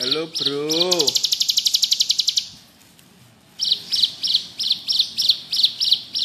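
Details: High, rapid buzzing trill from a bar-winged prinia in ngebrem style. A lower, rising-falling harmonic call overlaps it at the start. After a brief silence come evenly repeated sharp chirps, about three per second.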